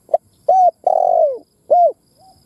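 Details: Spotted dove kept as a decoy bird, its cooing meant to provoke other doves. One full phrase: a short pip, a clipped arched coo, a long vibrating coo drooping in pitch, then a final rounded coo, clean and close.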